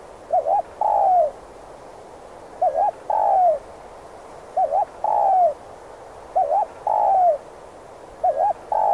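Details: Spotted dove calling to draw wild doves toward traps, a 'thúc gù' style call: a quick wavering double note then a long descending coo, repeated about every two seconds, four to five phrases, with faint hiss behind.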